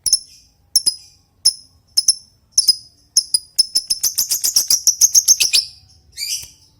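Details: Lovebird doing ngetik, the typing call, used to call an opponent: sharp, high ticks spaced about half a second apart that speed up into a quick run of clicks, ending with a brief buzzy note.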